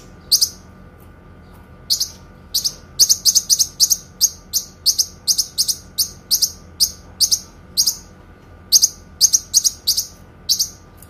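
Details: Kinoi songbird singing for use in training other songbirds: bright, very high chirps in quick clusters and steady runs, some doubled, with brief pauses between bursts over a faint background hum.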